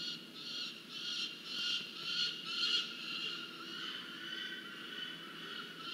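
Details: Noisy young peregrine falcons at the nest, recorded by a research nest camera at Charles Sturt University, Orange, New South Wales, Australia, on 17 January 2023: harsh, hoarse, rasping calls repeated about twice a second in a continuous stream.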